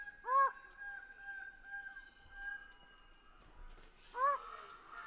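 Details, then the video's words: Greater bird-of-paradise giving two loud, nasal, arched calls, one near the start and one near the end, separated by a long quiet gap with faint background tones. "Greater bird of paradise sound"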